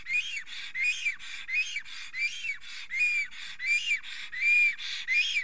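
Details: At his Estonian nest on 30 April 2020, an excited, trembling male black stork sings as a female flies by. Rhythmic hissed whistles rise and fall, about eighty-five a minute, alternating between two note shapes.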